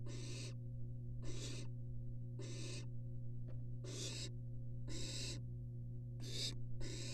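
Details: Barn owls inside a nest box, three siblings in close contact, captured by a University of Florida nest cam. Eight harsh, breathy screech-hisses arrive at slightly uneven intervals over seven seconds, accompanied by a low electrical hum.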